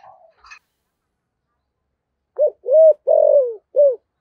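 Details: 'Thúc gù' cooing from a spotted dove with the deep 'giọng thổ' voice: after a faint rustle and long silence, a crisp phrase of short coo, clear coo, long falling coo and final short note.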